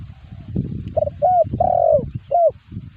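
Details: Spotted dove coos played as a lure to draw answers from wild spotted doves; short mellow notes, several brief coos then a longer drawn-out falling coo and a final short one, over low rumbling background noise outdoors.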